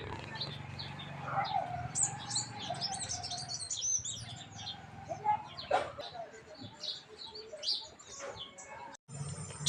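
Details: Many sparrows in a village chirp busily in overlapping bright, short notes, with a man's voice and background music underneath.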